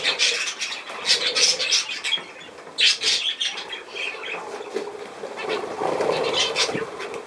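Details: Budgerigar chatter with uneven, rasping squawks and short chirps, louder bursts around the first and third seconds, softer warbling toward the close, with faint rustling.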